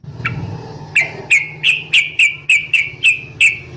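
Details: Sooty-headed bulbul female calling a male in a rapid fighting style: after a soft start, bright clipped whistled notes repeat about three times a second at one steady pitch over a low background hum.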